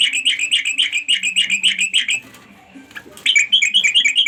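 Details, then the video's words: Bright, rapid, chattering notes from a sooty-headed bulbul calling to companions. The notes come about four per second, pause briefly, then resume at the same lively pace, with a faint low tonal hum beneath. "suara trucuk panggil kawan"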